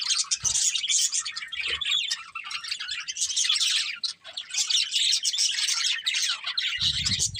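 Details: Colourful budgerigar breeding pair producing dense, bubbling chirps and squeaky twitters almost nonstop, with a few low knocks and a rumble at the close.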